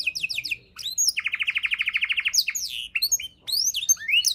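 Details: Canary 'isian' song used as tutor material for songbirds: quick rising whistles, then a rich buzzy rolling trill, followed by scattered sweeping notes with short gaps.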